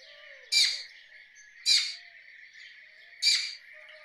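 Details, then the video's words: Rose-ringed parakeet producing three loud, hoarse squawks spaced over a second apart, each with a rough noisy quality, against a constant high-pitched hiss. "Rose ringed parakeet Call ! Rose ringed parakeet Sounds"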